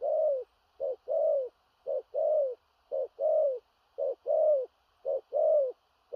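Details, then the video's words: Large spotted dove cooing 'thổ rặc' style with 'gù cà lăm' stutter, a rhythmic series of deep short-then-long hoots, the longer note arching and dropping, evenly spaced about once a second. "Cu Gáy/THỔ RẶC ÂM KHỦNG/Clip455/Nước Xa Thúc Kèm Gù Cà Lăm/Tướng Bộ To Bự"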